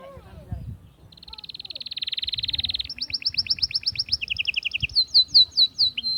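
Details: Atlantic canary song for exciting females toward mating: a fast, flat trill that swells in volume, then a jerky rolled trill with a lower buzzing trill beneath, closing with loud, sharply descending chirps.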